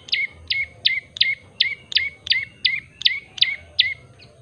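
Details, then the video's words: A common tailorbird, or prenjak lumut, sings clear and steady. About eleven piercing notes in under five seconds, each a sharp peak sliding down to a brief lower tone. A faint low hum lies underneath. "burung prenjak lumut gacor variasi . commond tailord bird singging"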